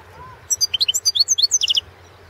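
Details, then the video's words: European goldfinch of the Balkan form Carduelis carduelis balcanica, recorded as an entry in the 2016 World Championship in Goldfinch Song, an internet contest. It gives a quick run of about a dozen bright, high, chirping and twittering notes lasting just over a second against a faint low hum. "World championship in Goldfinch Song"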